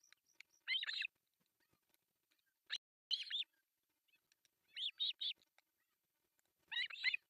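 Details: Three osprey chicks at a Finnish artificial nest in Pohjois Satakunta, fed breakfast on July 1, 2024. Four clusters of loud, harsh, pulsed calls come roughly every two seconds, with near silence between them.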